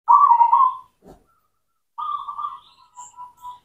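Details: Local cemani zebra dove lure song for silent doves: a loud trilled coo, a short low thump, then a softer, fading coo phrase that breaks into a few separate notes.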